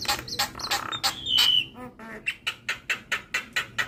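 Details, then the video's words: Javan myna singing vigorously while nodding, used as a lure and tutor recording for other mynas. Harsh broadband chatter, then a clear whistled note, then a run of sharp clipped notes repeated about five times a second. "Jalak Kebo Gacor Manggut2"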